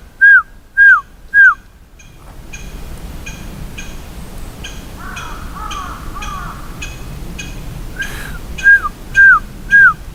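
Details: Bird answering a person in a park in Japan on 2 June: clear, slightly falling whistled notes given in threes, then a stretch of lower wavering notes over steady background hum, then the falling whistles return in another triple.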